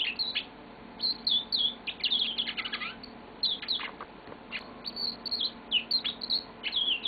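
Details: Pet yellow-fronted canary singing a long song indoors: rapid twittering warbles, trills and sweeping whistled notes in bursts, with short pauses between phrases.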